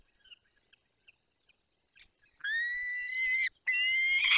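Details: Young peregrine falcon in the Barycz Valley, Poland, 1 June 2022, slipping off a branch: after faint scattered ticks, two long, loud, harsh drawn-out wailing calls about a second each, separated by a brief gap.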